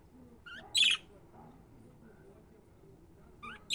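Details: Budgerigar calling: a short rising harmonic note, then a loud harsh buzzy chirp, and a second similar pair at the end, with quiet room noise between.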